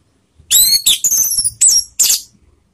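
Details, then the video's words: Orange-headed thrush lure calls meant to set others singing: four loud, harsh, buzzy bursts with whistled overtones, closely spaced, the last slightly rasping, in an otherwise quiet setting. "SUARA PANGGILAN ANIS MERAH || PANCINGAN bikin cepat bunyi"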